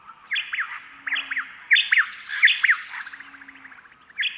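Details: A pair of white-eared honeyeaters counter-sing in spring, alternating two- or three-note "quit-you" phrases back and forth, with a faint high trill and other birds behind.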